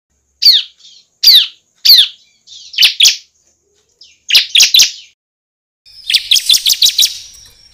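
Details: Bar-winged prinia song used as a lure for trapping and for training songbirds: high sharp descending chirps, then paired buzzy notes, then a fast rattling series of rapid repeated notes near the end.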